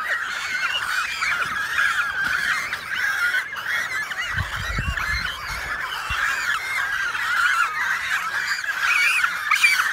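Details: Dense chorus from an American white pelican and cormorant breeding colony on a remote Canadian lake island, June 23, 2018, iPhone 7+ recording: many birds giving raspy, honking calls without pause, with a short low rumble midway.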